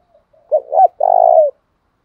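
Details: Spotted dove lure call used to incite rival wild doves to fight, a single phrase of two brief low hooked notes and one sustained, pulsing coo that tapers downward, preceded by faint soft notes.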